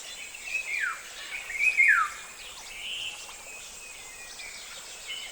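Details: African golden oriole song: a few fluty, liquid whistled phrases sliding downward, the loudest near the start, then softer warbling notes, over a steady high insect-like hiss.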